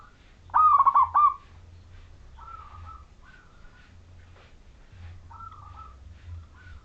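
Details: Majapahit local wild zebra dove singing actively, used to get other zebra doves singing: one loud rolling trilled coo phrase early on, then faint short coos from other doves.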